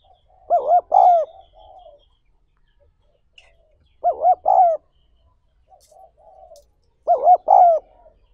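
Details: Spotted dove, a recording used to train newly caught doves: three low, hollow cooing phrases about three seconds apart, each two quick arched notes followed by a longer note, then a soft trailing coo, in quiet surroundings.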